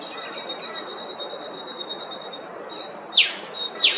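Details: Eastern spinebill, Queensland, Australia: a near-silent opening with a faint steady whine, then two sharp, high, down-swept notes in the final second.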